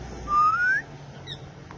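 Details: Rose-ringed parakeet, a tame male ringneck kept as a talking pet: one smooth, loud whistle gliding slowly upward for about half a second, followed by a faint short chirp.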